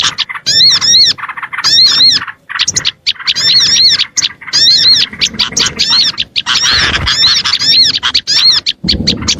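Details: Calling to attract small birds: clusters of bright, arching whistles repeated in quick groups, mixed with scratchy chirps, the flock growing denser and noisier toward the end with a low rustle.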